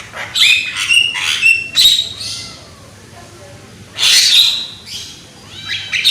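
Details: Loud young Javan myna on a lure recording: a burst of harsh calls and whistled slurs, a soft descending whistle in a quieter pause, then another rasping outburst with clicks.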